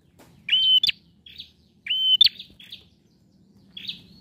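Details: Loud male bar-winged prinia, used to prompt a silent bird, gives two whistled phrases ending in a sharp click, followed by softer scattered buzzy notes.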